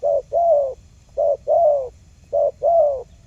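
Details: Lure recording of a wild spotted dove: three evenly spaced phrases, each a brief low coo followed by a longer drawn-out falling coo, in a quiet setting.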